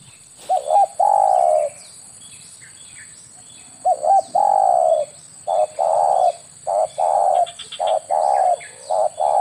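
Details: Spotted dove, known locally as tekukur or derkuku, used as a lure call to attract doves for air-rifle hunting; low hollow coos in short paired and drawn-out notes, repeated in irregular bursts, with faint chirps of other birds behind.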